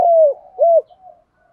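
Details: Spotted dove cooing in the style called giọng thổ pha đồng: two loud, mellow, low coos, the first longer and falling at its end, followed by a soft trailing murmur.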